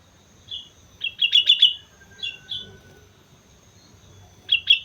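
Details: Mount Slamet sooty-headed bulbul in lively song, rapid bursts of four or five bright bubbling notes with softer single notes between, and a fresh burst starting at the end.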